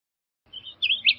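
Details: Blue grosbeak song fragment: a thin note followed by louder slurred, looping warbled notes building toward the end of the short snippet.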